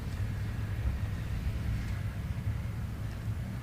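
Steady low engine rumble from a vehicle during a safari drive, with no animal calls heard.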